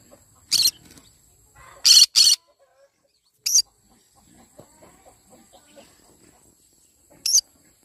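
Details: Yellow-sided conure calling in the morning: a few short, harsh, high screeching bursts, one doubled, spaced irregularly by quiet gaps, with faint low background noise.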